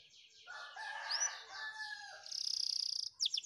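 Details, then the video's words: A canary, likely a Spanish Timbrado training song, sings a warbling phrase with a sweeping whistle, then a fast, high, metallic trill of about twenty notes, ending in sharp buzzy chirps. "Effective Canary Training, Your Canary Will Love The Song"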